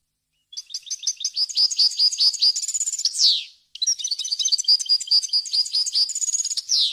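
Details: Goldfinch in clean, varied song, recorded for tutoring fledglings: two long bursts of fast, liquid twitters and chirps, each ending in a downward buzzy sweep.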